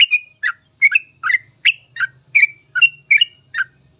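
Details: Sooty-headed bulbul singing in the rapid 'gacor full ropel' style, kept as a master recording for training other bulbuls; short bubbly two-part whistled phrases repeated about every half second, with a faint low hum beneath.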